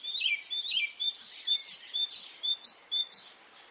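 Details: Birds singing on a spring morning in Brittany, France: a rapid series of bright, high whistled notes, each with a sharp upward flick, repeated about twice a second, with softer warbling behind.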